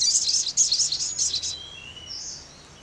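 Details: Sogon bird song: a fast, high, chattering trill of rapid notes for about one and a half seconds, then fading to a few soft, thin whistles.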